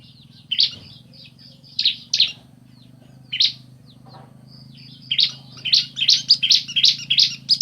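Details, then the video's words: Bar-winged prinia male and female answering each other: sharp, high chirps at first spaced about a second apart, then a fast, uneven run of bright chirps in the final two seconds; a steady low hum underneath. "Suara Asli Ciblek Jantan Betina Bersahutan"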